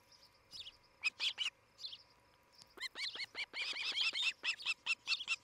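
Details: Ospreys, a nesting couple in Charlo, Montana, filmed by nest camera on a July 2018 morning: two or three loud shrill whistles, a pause, then a fast string of descending chirped whistles growing busier, with a faint background hum.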